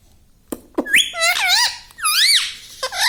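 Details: Pet parrot talking indoors, said to say "mummy" and "papa": a few sharp clicks, then high, squeaky, wavering syllables that swoop up and down in quick speech-like phrases, with a short pause between two bursts.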